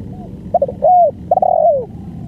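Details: One clear phrase from the full song of a spotted dove, a long-duration performance. Soft stuttering notes build into an arched coo, then a fluttery run and a final long, descending coo, over quiet low background noise.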